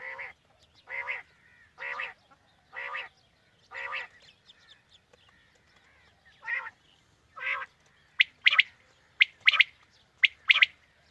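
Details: Quail used as a morning hunting lure. Five evenly spaced, lower harsh notes about a second apart give way to bright, sharp three-note phrases with a short first note and a fast double.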